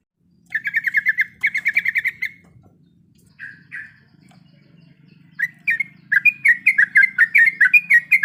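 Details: Sooty-headed bulbul, a female in breeding condition calling the male: bursts of rapid bubbly chattering notes, a pause with two short phrases, then a run of quick warbled notes. A faint low hum sits underneath.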